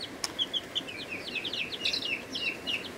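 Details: Brooder chicks in their first week, of mixed breeds including Ameraucana, Buff Orpington, Rhode Island Red, Barred Plymouth Rock and Black Australorp, peeping in quick thin falling notes, several voices overlapping, one sharp tap early on.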